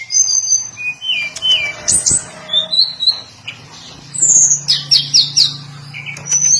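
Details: Sweet high whistles and downslurred notes from a hill blue flycatcher, then a burst of quick repeated buzzy notes, with a low continuous hum underneath.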